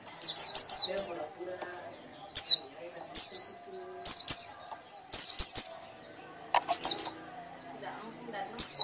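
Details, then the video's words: White-eye singing loudly in the ngekek style, short volleys of two to four shrill, steeply falling whistles repeated about every second, over faint low background noise. "pleci anda akan ngekek ngekek keras"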